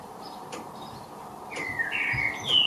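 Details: Resident garden blackbird in Derbyshire, England, singing: after a few faint clicks, a mellow whistled run rises into a high thin flourish at the end.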